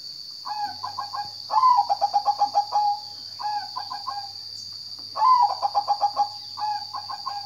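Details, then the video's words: Zebra dove song: low cooing phrases, each a rising slurred note followed by a quick run of short rolling coos, repeated about every two seconds with louder and softer phrases, over a steady high insect-like hum. "Kicau burung perkutut"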